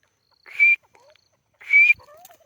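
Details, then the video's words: Grey francolin (white teetar), a female, gives two loud, harsh, ringing calls about a second apart, each with a high whistled core; faint softer notes follow. "teetar female voice"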